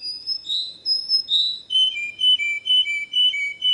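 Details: Pure canary song with a few rich, slurred high whistles, then a run of short, evenly spaced chirping notes repeated about twice a second.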